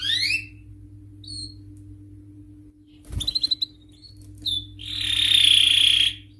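A male canary sings in high, bright phrases: quick rising sweeps, a fast burst of clipped notes, then a sustained rolling trill, over a faint steady hum.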